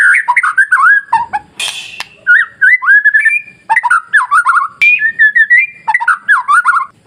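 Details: Continuous masteran song of a white-rumped shama to provoke other shamas: dense, rhythmic rounds of rich swooping whistles, repeated phrase after phrase with brief breaks.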